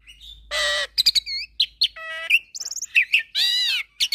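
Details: Asian pied starling with Nias myna and hybrid song mix: harsh buzzy rasps alternate with clipped chirps, a flat tonal whistle, sharp upslurred notes and a final long wheezy rasp.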